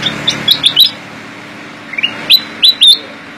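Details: Black-crested Bulbul, known locally as kutilang emas, in lively gacor isian singing: short bright whistled notes rising and falling in quick clusters, a pause of about a second, then further sharp upslurred whistles; a faint steady hum underneath.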